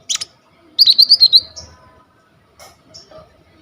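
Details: Coconut lorikeet in lively 'gacor full isian' song, a master song for training kolibri ninja birds: one sharp chirp, then a quick run of about six bright, piercing high notes, followed by fainter chips.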